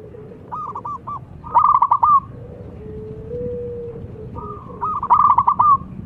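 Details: Local zebra dove song, a lure to prompt silent doves to sing: two phrases of rapid pulsed, cooing trills that start with a short rising note, separated by a quieter low, drawn-out hum. Steady low background rumble.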